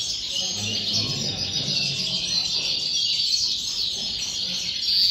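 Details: Continuous twittering song of a European goldfinch, thin rapid notes and buzzy trills running together, a clear ringing note near the end, with some low background rumble.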